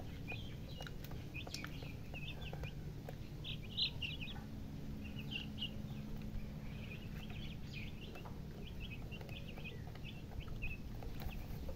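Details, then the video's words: Baby chicks chirping: high, short peeping notes scattered in quick clusters over a steady low rumble of background noise. "Baby "Chicks Chirping" Sound"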